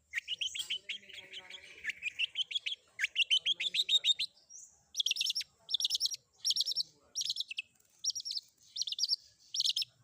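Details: Long-tailed shrike combination song for training: a rapid run of chirping notes, then a pause followed by bursts of harsh, buzzy, high notes repeated in quick clusters, no other sounds.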